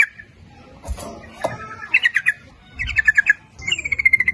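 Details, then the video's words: Lure recording of a lively yellow-vented bulbul singing a rapid 'nguplik ropel' style, meant to draw in males and females; three short gurgling bursts of quick descending notes, the last trailing into a steady whistle. "Suara Pancingan Trucuk gacor memanggil jantan maupun betina ikut bunyi nguplik ropel"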